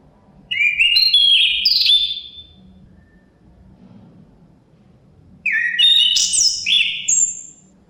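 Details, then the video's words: Two separate song phrases from a chestnut-capped thrush, several seconds apart. Each is a tumbling sequence of sweet whistled notes that step up and down in pitch. Quiet wind noise fills the pause between them. "Suara Kicauan Burung Terapi Anis Kembang Ada Suara Angin"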